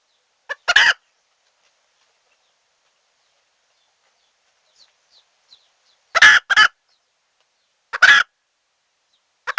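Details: Red junglefowl hen call luring wild birds into a trap. Rough, broad cluck pairs come widely spaced, with long quiet gaps and faint chirps in between.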